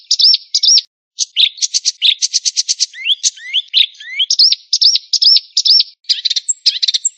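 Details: White-rumped shama singing a rich, varied song: clear whistled phrases repeated in short series, rapid buzzy trills and upslurred notes, fast and continuous with brief pauses.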